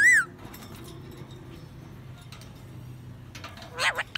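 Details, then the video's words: Parakeet gives one loud, arched squawk, then after a quiet pause a short burst of scratchy, chirping chatter. "Talking Parrot Singing-Bird Parakeet"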